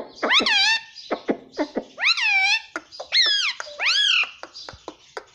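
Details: Talking pet Indian ringneck parrot mimicking words in a quick run of loud harmonic, arching syllables with short clicks between, sounding like rapid imitated speech.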